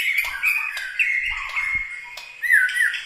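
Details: White-rumped shama, murai batu from Medan, Bahorok, Bukit Lawang, sustaining a level whistle with brief clicks, ending in a bright looping upward-then-down slur; faint low knocks underneath.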